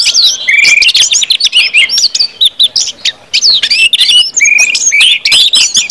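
Orange-headed thrush singing a rich, fast medley of high whistles, trills and slurred notes, with clear rising whistled phrases repeated every few seconds.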